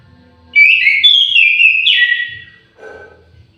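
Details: Orange-headed thrush in an aviary singing a melodious, warbling whistled phrase. Several linked notes slide downward and finish with a bright upslurred flourish, followed by a soft rustle.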